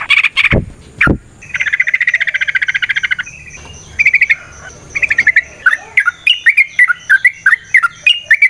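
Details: Sooty-headed bulbul singing in ropel, variasi, nrotok and ngecuplik style, played as a lure so other bulbuls sing: two sharp clicks, buzzy rattling trills, then a run of quick, varied chirping notes.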